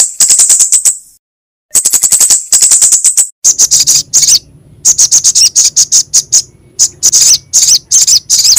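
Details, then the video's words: Recording for luring sogok ontong and kemade: fast trains of tiny ticking chips, a pause, then sharper, high chirps repeated in uneven bursts. "PANCINGAN SUARA SOGOK ONTONG & KEMADE GACOR"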